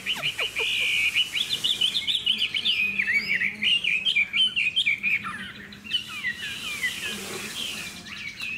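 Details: Captive Chinese hwamei (Garrulax canorus) with spread tail, described as lively and in good form, pours out a loud, rich song of rapid, varied whistled and slurred phrases over a soft background hum.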